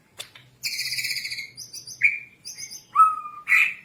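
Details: White-rumped shama song as training material for caged birds: a buzzy, trilled note, then clear short whistles, one pure low whistle and a final harsh burst.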